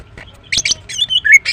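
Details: Brief, lively phrase from a female greater green leafbird: a couple of harsh high chips followed by a sliding whistled note and another chip, recorded in the morning.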